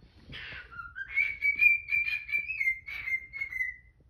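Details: Pet cockatiel singing the tune 'If You're Happy and You Know It' in the morning while a Quaker parrot protests nearby. Clear whistled melody, sliding up and then holding steady wavering notes that fall slightly at the end, with a couple of brief harsh bursts.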